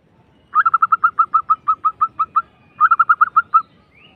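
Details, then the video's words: Local zebra dove's rolling lure song, meant to draw doves to respond: a rapid string of about fourteen short staccato coos, a short gap, then a tighter burst of six notes. "PANCINGAN perkutut lokal.. SUARA super ngerrol"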